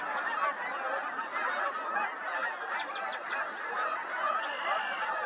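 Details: A large flock of Snow Geese flies overhead on spring northward migration at Middle Creek, Pennsylvania, giving a dense chorus of honking and overlapping nasal yelps.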